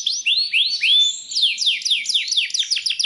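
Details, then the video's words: Belgian canary training song for stimulating canaries: long upswept whistles opening into a quick series of sharp falling notes, loud and clear. "CANTO PARA ESTIMULAR CANÁRIO BELGA A CANTAR - Canto de Canário Belga"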